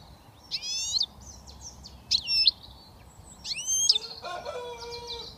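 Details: British European goldfinch, young and just starting to whistle: three ringing swept notes with quiet twittering in between, then a brief lower, harsher rattle at the end.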